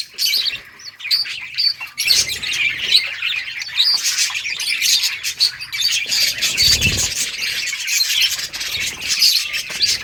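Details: A budgie colony keeps up busy high chattering, fast chirps and short squawks overlapping steadily, with a brief low thump partway through.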